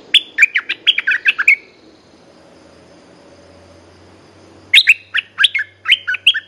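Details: Red-whiskered bulbul, caged, singing a fast string of bright chirped and warbled notes, going silent for about three seconds with a faint low hum, then resuming with another busy chirpy phrase.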